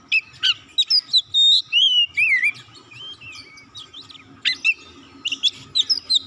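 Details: Oriental magpie-robin song played to call other birds and set silent magpie-robins singing. A dense, lively run of varied whistles, trills and sharp chips, with brief pauses, over a faint continuous hum.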